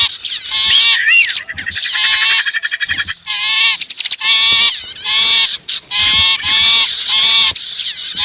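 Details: Composite calls of sipu and prenjak birds used to attract wild birds nearby: continuous buzzy, harmonic chatter with rapid repeated notes and sweeping whistles, bursts separated by short pauses, no other sounds.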